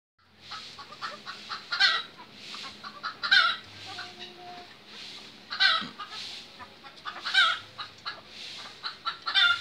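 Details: Lady Amherst's pheasant, one of a pair, gives harsh, raspy, fowl-like calls in short bursts, repeated every one to two seconds at an uneven pace, with faint background rustling.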